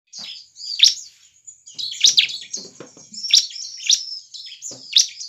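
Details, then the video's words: Bar-winged prinia singing energetically, used to lure other prinias into song: sharp high chirps around every second, mixed with softer twittering and a faint steady high whine throughout. "suara burung CIBLEK GACOR cocok untuk pancingan ciblek bahan agar cepat gacor"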